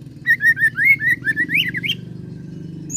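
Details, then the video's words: Oriental magpie-robin song with cililin and serindit mimicry, a short string of wavering whistled notes rising and falling, over a noticeable low humming background. "KACER ROLL CILILIN SAMBUNG SERINDIT"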